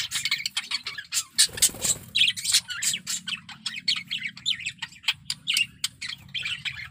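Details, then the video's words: Budgerigar male in heavy breeding condition delivering a steady run of rapid clicks, chirps and squeaky warbled notes, with a louder harsh burst early on, chatter continuing evenly throughout. "Suara Burung Parkit Jantan || BIRAHI PARAH"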